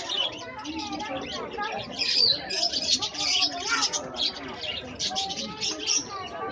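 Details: Continuous lovebird chatter: scratchy high chirps and quick squeaks pile over one another, swelling to louder bursts around the middle before easing slightly.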